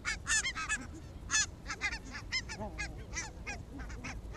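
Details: Barnacle geese on an evening walk in Arabia, Helsinki, on 1 October 2014: a flock gives a dense chorus of short, yelping, barking honks overlapping about once a second, over low traffic-like rumble.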